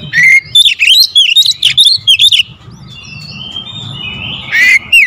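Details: Kacer, an Oriental magpie-robin, in tight 'tembakan rapat' lure song: a fast string of loud, looping whistles and sharp chips for two seconds, a quieter stretch of soft twittering, then a final burst of whistles.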